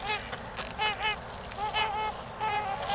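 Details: Trumpeter swans at Gallup Park, Ann Arbor, Michigan, during mating time: a run of short, nasal, horn-like honks, several in quick succession, over a steady background hiss.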